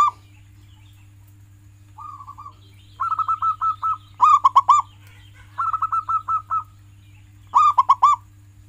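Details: Singing local zebra dove, used as a model to get pet doves singing: a faint purring roll, then alternating rolling trills and emphatic clipped coos, three loud clusters in under nine seconds, over a continuous low hum.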